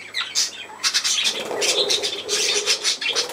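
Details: Pet budgerigars playing indoors, giving busy, high scratchy chatter with rapid chirps and squawky notes in bursts, plus faint wing flutters.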